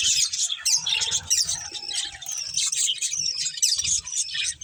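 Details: A breeding pair of budgerigars chattering: rapid high warbled twitters and short squeaks in unbroken flow, a faint low rumble underneath.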